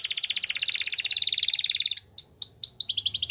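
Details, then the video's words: Belgian canary song for training: a two-second buzzy rolling trill pulsing rapidly, followed by quick rising and falling whistled notes. "Belgian Canary Singing"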